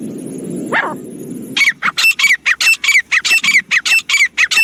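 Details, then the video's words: Francolin calling in jungle, used as a hunting sound: a steady run of short, harsh, ringing notes repeated about twice a second after a brief quieter rustling start, with faint background hiss. "francolin calling voice jungle"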